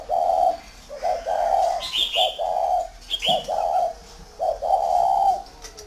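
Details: Tame spotted dove from a dove farm in Ba Vi, Vietnam, giving loud, hollow cooing phrases: short grace notes then a drawn-out coo, repeated about five times, with faint high chirps from other birds between them.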